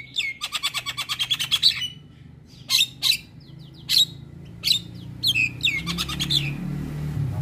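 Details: Black-winged myna singing for a morning myna training recording; a fast rattle of about fifteen clicky notes, then spaced harsh squawks and whistles, with a low hum rising toward the end.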